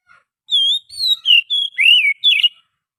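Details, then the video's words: Oriental magpie-robin forest lure song: a phrase of six clear whistled notes, some steady and high, others dipping and slurred, delivered in quick succession against silence. "suara pikat burung Kacer asli hutan,suara pancingan kacer"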